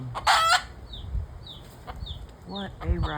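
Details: Roosters and hens, set off by something unknown and calling for a while, give harsh, rasping squawks at the start and near the end, with thin, high falling chick cheeps repeated in between.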